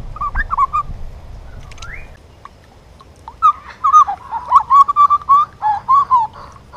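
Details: Juvenile grey butcherbird singing: a few short notes, one rising slur, a quiet pause of about two seconds, then a steady sequence of wavering warbled phrases at a similar pitch, repeated quickly.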